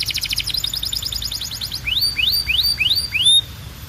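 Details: Singing canary: a rapid rattling trill followed by five loud upslurred whistled notes spaced evenly, about two per second.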